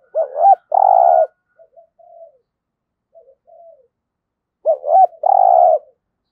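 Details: Spotted dove kept as a trapping decoy, singing giọng thổ style: a rising double note and a long, deep, hoarse coo, a gap with soft murmuring, then the same double note and long coo repeated.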